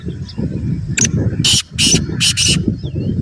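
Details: Black francolin giving a harsh call of four scratchy, noisy bursts close together, played to pet birds to prompt calling; steady low background rumble, possibly traffic or wind, runs throughout.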